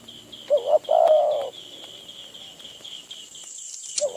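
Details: Spotted dove, a wild bird in Phrae province, Thailand, approaching a decoy. One hoarse phrase of quick rising notes leads into a long mellow coo. A steady train of thin high chirps from another bird runs through the background.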